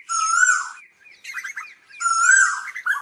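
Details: Asian koel calling the flock: two strong, drawn-out harmonic notes with a softer jumble of chattering in between.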